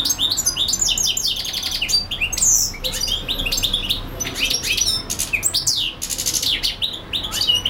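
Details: Continuous song of a European goldfinch, a bird that keeps singing for hours: rapid, jangling twitters and sharp high chirps packed tightly together with hardly a pause, bright and tinkling throughout.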